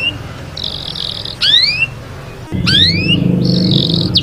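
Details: Canary singing in Taghreed style to train young birds: short bursts of high buzzy trills and rising swept whistles broken by gaps, with a noticeable low background rumble.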